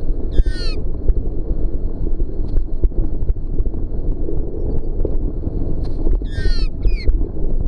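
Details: Magpie feeling threatened by a polystyrene bicycle helmet: two bursts of harsh, wavering warbled calls, one near the start and a longer one near the end, over constant loud low rumbling wind or movement noise.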